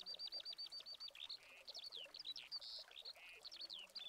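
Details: Spanish skylark song in August 2020, caught on a Canon 7D Mark II: opens with a fast series of identical repeated chirps, then breaks into mixed whistles, buzzes and twitters delivered in an unbroken flow.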